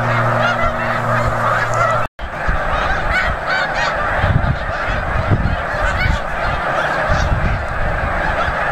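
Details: Huge flock of snow geese at Bombay Hook National Wildlife Refuge, Delaware, USA, on December 4, 2006: dense, overlapping nasal honking from countless birds, steady throughout, with a brief dropout near two seconds.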